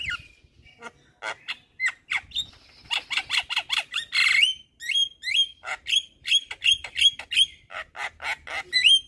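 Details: Javan myna singing in gacor full isian style to provoke other mynas: a fast series of harsh, squawky notes mixed with short sharp whistles, several downslurred, delivered in quick bursts about three per second.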